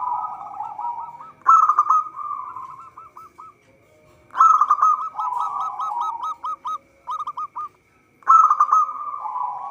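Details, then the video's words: Zebra dove, a local bird singing energetically for use as a trapping lure: three loud rolling bursts, each followed by descending chains of short hooked coos that slow and fade before the next phrase. "Perkutut lokal gacor suara cocok untuk pancingan"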